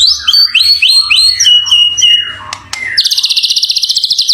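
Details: Champion white-rumped shama singing clear whistled phrases that step down in pitch, a couple of sharp clicks, then a fast high rattling trill; a faint low hum underneath.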